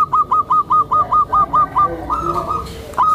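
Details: A tame zebra dove used to attract and train other zebra doves repeats about ten evenly spaced clipped coo notes. They run into a softer wavering trill, and one note returns at the end.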